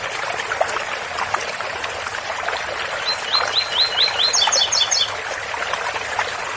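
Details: Ouro Fino tui-tui song of a double-collared seedeater: five or six rising whistles followed by quick high paired notes, heard through constant splashing water from a spout.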